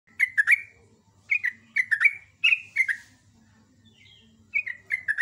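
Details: Sooty-headed bulbul (trucuk) singing in the morning: bursts of bright, slightly descending chirpy notes in quick clusters of three or four, separated by short pauses, with a faint low hum beneath.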